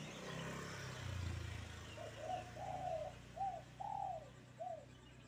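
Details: On a bright morning, a spotted dove gives a phrase of soft, low coos: short notes, then a longer note that rises and falls, ending with a single clipped coo. A low rumble is heard early on.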